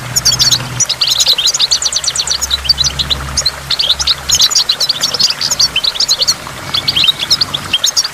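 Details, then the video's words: Energetic goldfinch song at a waterfall: fast, repeated high chirps form tight tinkling trills in steady bursts, a low hum audible early on and fading later. "in the waterfall stimulates goldfinch and water drops"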